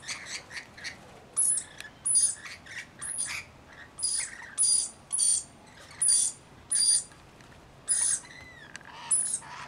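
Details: Rainbow lorikeets in a mixed flock of about 40 tending a single baby give harsh, rasping screeches in short bursts about once a second, with thin high whistles over the chatter.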